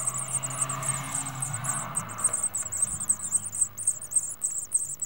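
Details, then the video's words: Blue tit (Parus caeruleus) chicks in a webcam nest box, spring 2011, keep up a high, thin, buzzy chorus of rapid begging calls, about three or four a second, as they wait to be fed, over a low rumbling hum. "Singing chicks for dinner ~ Blue Tits ~ Parus Caeruleus"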